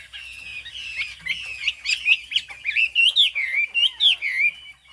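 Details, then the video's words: Chinese hwamei from the Hà Giang highlands of Vietnam, with a fig-leaf tail and turmeric-coloured beak, sings a rich run of loud, slurred whistled phrases that rise and fall, quickening into bright repeated notes toward the end. "Họa mi hót cao cầu, đuôi lá vả, mỏ nghệ"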